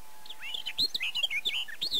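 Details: Barred warbler in the Zemplén at Erdőhorváti, Tokaj, Hungary, during May 2013, Canon EOS 7D recording; a hurried run of jumbled chirps and slurred whistles, evenly busy for two seconds.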